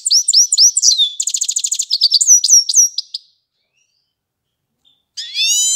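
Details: Grey-crowned goldfinch in Isfara giving bright, high twittering notes mixed with a quick buzzy trill, then a pause before one more twittering burst.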